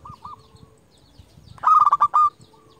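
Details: Local Indonesian zebra dove, a prolific caller used as a lure to call rivals, gives a loud burst of rapid rolling coos at mid pitch, preceded by two faint, distant coos and low background rumble.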